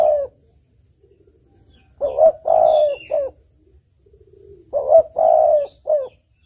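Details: Spotted dove singing, recorded as a clear lure sound for trapping birds: two three-part cooing phrases, a short note, a long rolling coo and a brief final note, repeated about three seconds apart, with soft murmuring between phrases.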